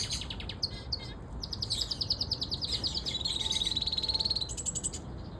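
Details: A siskin canary singing outdoors gives a fast, high twittering song of trills and chirps, with a long buzzy wheeze in the middle, over a low background rumble.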